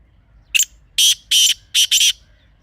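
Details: Kala teetar, the black francolin of Pakistan, in a natural setting: a brief opening note followed by four loud, coarse, buzzy notes grouped in two pairs, background otherwise still.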